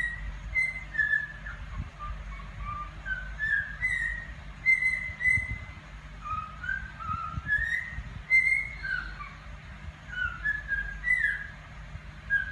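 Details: Cockatiel (Nymphicus hollandicus), whistled song.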